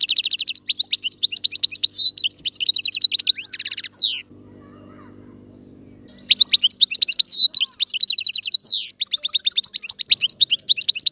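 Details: European goldfinch twittering a lively song of rapid trills and tinkling notes. It stops for about two seconds while a low droning hum is heard, then returns with more quick chirps and descending slurs.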